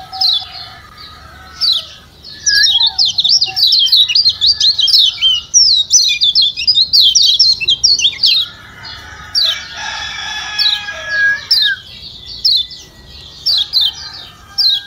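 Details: Lombok yellow white-eye, kecial kuning, calling as a lure meant to stir quiet birds into singing: rapid high twittering chirps and thin squeaky notes in dense bursts, a fuller trilling rush around the middle, then sparser chirps.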